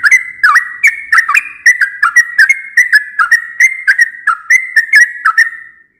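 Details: Yellow-vented bulbul singing at dawn, when it reliably calls each day: a lively, continuous run of clicking, whistled notes, quickly repeated with small up-and-down pitch shifts, ending abruptly after about five seconds.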